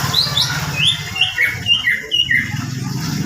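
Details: White-rumped shama delivering a fast series of short, bright whistled notes, each sliding up or down, in an irregular rhythm over a steady low rumbling background hum.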